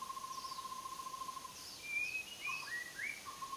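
White-rumped shama song: a long, level whistle followed by a quick run of varied rising and falling whistled notes, some high and thin, over faint background hiss.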